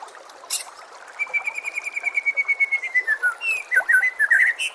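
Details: White-rumped shama master song: a long, steady whistled trill holding one pitch for about two seconds, dropping gently, then breaking into rapid, varied, sliding whistled notes.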